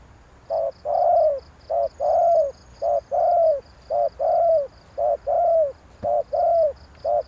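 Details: Spotted dove calling to excite a decoy bird: rapid series of about six phrases, each a short hoot then a longer falling coo, roughly one per second, with steady high ticking behind.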